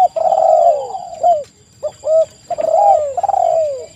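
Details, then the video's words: Spotted dove song, a busy mix of doves used as a lure: soft low cooing phrases, each note sliding downward, several overlapping coos with brief pauses between bursts. "TEKUKUR GACOR suara merdu"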